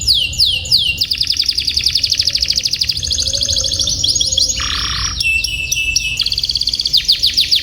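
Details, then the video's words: Tutor recording of canary song for young canaries learning to sing and birds that have stopped singing: varied fast rolls and trills, a dip into a lower sustained note, then more quick repeated rolls. "Suara BURUNG Kenari ||° Bird Chirping Sound ||° Masteran dan PANCINGAN kenari"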